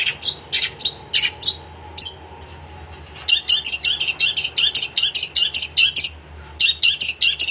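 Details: Gacor song of a long-tailed shrike, with scratchy spaced notes, a short pause, then a dense rapid chatter of buzzy high notes before a few final harsh calls.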